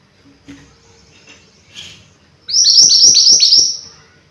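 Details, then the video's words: Mountain white-eye, lively song: after faint chips, a strong string of high piercing whistled notes, each sliding downward, delivered about four times a second. "Burung MANTENAN GUNUNG Gacor Pas Untuk Masteran Atau Pancingan"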